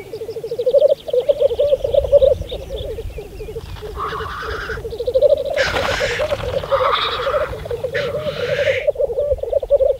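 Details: Black grouse at a spring lek on Saaremaa, Estonia, in 2014: continuous low bubbling rookooing runs throughout, broken by three loud hissing sneezes near the middle and end.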